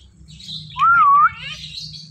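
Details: Talking Indian ringneck parakeet gives one loud, clear whistle that wavers up and down for about half a second, with faint chatter and a low hum behind it.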